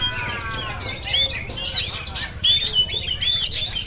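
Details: Oriental magpie-robin of the jampang type, filmed on a GoPro, giving short bursts of bright whistles and sharp chirps about every second, with faint lower background chatter.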